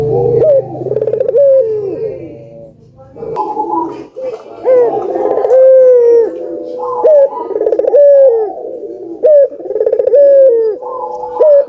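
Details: Prolific albino collared dove, recording meant to trigger other doves to call: a series of throaty coos, each with a rising note, a rolled pulsing stretch and a downward slide, repeating about every two seconds.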